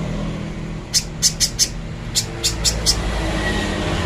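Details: Little spiderhunter master song meant for training: two quick groups of four sharp, high chip notes separated by a brief pause, with a low hum in the background.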